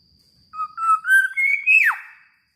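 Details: Black-naped oriole, called a very vocal singer, delivers a single phrase of clear fluty whistles rising stepwise, then a quick descending slur to finish; a thin steady high tone lingers in the background.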